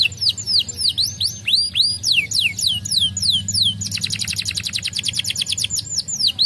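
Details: A young canary sings a bright, varied song of sweeping whistled notes, then shifts into a fast, rapid trill of repeated chips.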